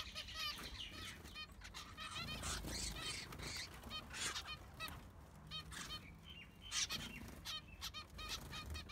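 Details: A baby zebra finch, one of six siblings, in an aviary; zebra finches give short, nasal, repeated calls, with many birds chattering at once.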